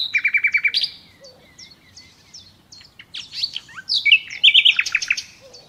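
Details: Wild common nightingale in song: a fast run of repeated trilled notes opens the phrase, followed by varied thin whistles and sharp clicks, then a loud jumble of chattering notes.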